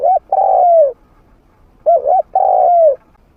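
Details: Spotted dove, a trained decoy bird with a medium-pitched voice, used to lure wild doves: low hooting coos, a short double note followed by a longer falling coo, the phrase given twice.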